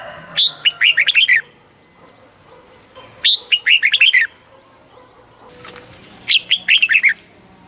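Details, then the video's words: Caged Thai red-whiskered bulbul giving southern master-phrase song to rouse other birds: three near-identical bubbly phrases of five to six quick slurred notes, roughly every three seconds, with soft flutter between. "เสียงนกกรงหัวจุก สำหรับต่อ หรือ เปิดให้นกคึก"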